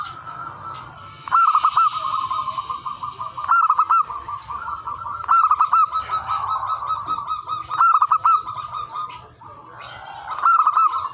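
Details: Local wild zebra dove, used to lure and train other zebra doves, singing actively: rapid strings of mid-pitched cooing notes in bursts of a few seconds, repeated with short gaps, over a steady high-pitched background hiss.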